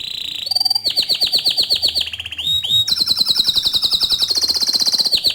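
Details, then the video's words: Bottle-green canary singing loudly and continuously, used as a master tutor song for young and novice canaries: rapid repeated trills high-pitched and bright, shifting between fast rattling phrases, a brief whistled slide and sweeping chirps. "Kicau Kenari Hijau Botol Gacor Dor Cocok Untuk Masteran Kenari Paud dan Bahan"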